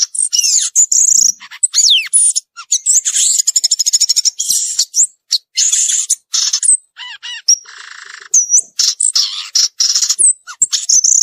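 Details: In the wild, a violaceous euphonia delivers a long, varied song of slurred whistles, rapid rattling trills, scratchy buzzes and sharp chips, with short pauses between bursts.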